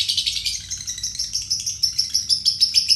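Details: Fighter lovebird giving a long ngekek konslet trill, used as a lure and master for songbirds: rapid, rhythmic, harsh chirps repeated several times a second, slowly rising and brightening toward the end, with a faint low hum underneath.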